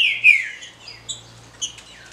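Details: Female rufous-bellied thrush calls, used to stimulate males: a thin descending whistle, then a few short high chips spaced through the clip, in quiet surroundings.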